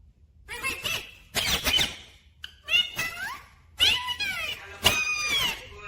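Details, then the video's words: A talking rose-ringed parakeet said to say "mummy papa": bursts of harsh, squeaky, speech-like chatter with rising and falling whistled slurs, several phrases over a few seconds, indoors. "Natural Sound of Talking Ringneck Parrot 🦜 Mitthu😍❤️ मम्मी पापा बोलने वाला तोता मिट्ठू🦜"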